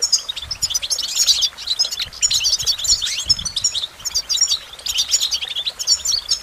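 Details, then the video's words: Rapid, high-pitched goldfinch twittering in three main bursts, each a tumbling run of sharp chirps and buzzy trills, separated by short gaps. "Nature's Harmonious Jewel - Goldfinch Motivation Performance"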